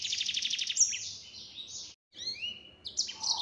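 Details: Yellow-fronted canary singing at full speed in the 'nembak' style: fast pulsed high trills, then a brief pause followed by sweeping whistled notes and buzzy twittering phrases.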